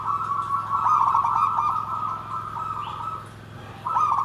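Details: Zebra dove in nggandem gedhe garing style, delivering a long, even, rapidly pulsed coo that fades briefly before a fresh burst starts near the end; a low mechanical hum runs throughout.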